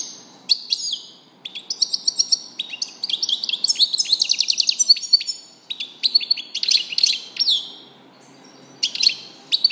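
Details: European goldfinch singing a long, varied medley of rapid twittering, liquid trills and sharp high chirps, broken by brief pauses and restarting several times.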